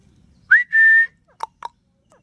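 A ringneck parrot gives a clear whistle that swoops up and then holds one steady note, followed by two short, low clucks.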